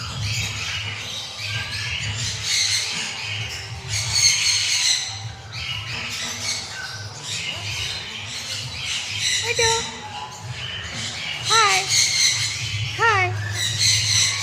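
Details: A Citron-crested cockatoo, playing, gives harsh, raspy squawks in uneven bursts, then short whistled notes that swoop up and down, with a steady low hum behind.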